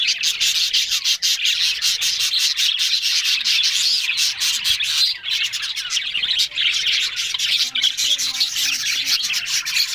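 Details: Many budgerigars chattering together, called talking, recorded October 1: a rasping, buzzy mass of high warbles and chirps running nonstop, with a short lull around the middle.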